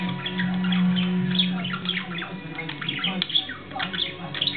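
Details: Two male pet budgerigars chatter in quick, scratchy chirps and squeaks over a steady low hum.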